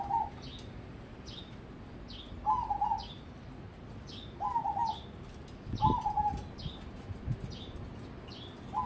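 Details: Crossbred zebra dove, a prospect for singing competitions, repeats rolling coo phrases every couple of seconds while another bird keeps up steady high, falling chirps about once a second.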